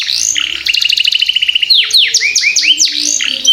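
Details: Young canary singing to tutor other birds: a short whistle, a fast evenly pulsed trill lasting about a second, then a string of swooping looped whistles.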